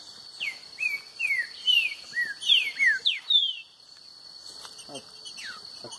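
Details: Green-winged saltator singing in competition against a free-living bird: a series of clear, downslurred whistled notes in quick succession over a steady high insect hum, with background rustling.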